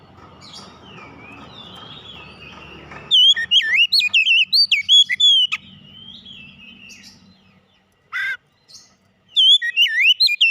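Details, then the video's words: Oriental magpie-robin song over low background rumble and hum: a run of quick swooping whistles and sharp chips, a short pause, a brief note, then further warbling. "kicauan ampuh mempercepat pemulihan Kacer macet bunyi langsung gacor"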